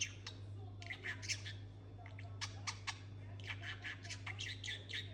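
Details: Talking budgerigar producing rapid raspy chatter and squeaky syllables in short runs with brief pauses, against a constant low hum.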